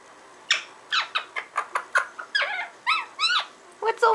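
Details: Parrot chattering gibberish indoors: about a dozen short, clipped chirps and squeaks in quick succession, several with bent, rising-then-falling tones, grouped in bursts over four seconds, with an owner's voice around it.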